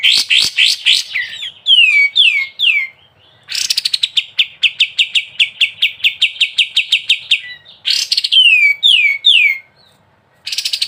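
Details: Sooty-headed bulbul singing ngebren style for a songbird tutoring recording: loud bursts of falling slurred whistles alternate with long rapid strings of sharp, evenly repeated high chirps, separated by brief pauses.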